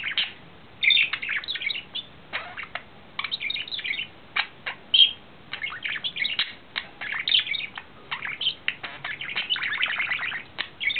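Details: Male budgerigar in love, courting, recorded April 2009: a continuous chattering warble of rapid scratchy chirps and short clicks, with brief bright whistled notes woven through over eleven seconds.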